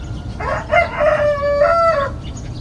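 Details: Rooster crowing at dawn in a village, recorded outdoors: one loud, drawn-out cock-a-doodle-doo lasting about one and a half seconds, with a short rising opening, a long steady middle and a dropping close, over a faint low background hum.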